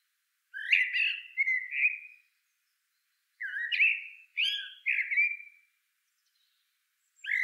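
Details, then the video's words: A middle spotted woodpecker (Dendrocopos medius) gives nasal, squeaky notes in two bursts of about three, each note sliding down slightly, with pauses between; no other sounds. "Middle spotted woodpecker (Dendrocopos medius) Μεσαίος Δρυοκολάπτης"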